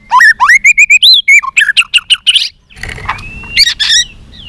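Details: White-rumped shama in fighting song, flicking its tail: a rapid string of loud rising whistles and chirps, then harsh buzzy notes, a soft drawn-out whistle and a final squeaky burst.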